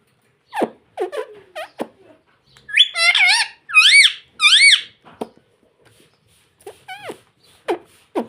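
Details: Pet ring-necked parrot indoors saying "mummy mummy": wavy, warbling harmonic syllables in a tight cluster mid-clip, surrounded by sharp clicks and short squeaky notes.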